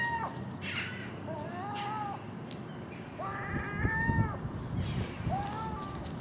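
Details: At a house in the early morning, common gulls join a magpie and crows at garbage left out at night: a series of brief, upward-bending mewing calls about a second apart, over low rumbling background noise and occasional harsh bursts.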